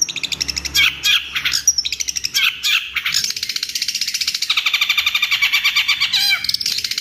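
A long-tailed shrike pours out a high, scratchy medley of chatters and squeaky whistles, settling into a fast run of repeated notes about three each second.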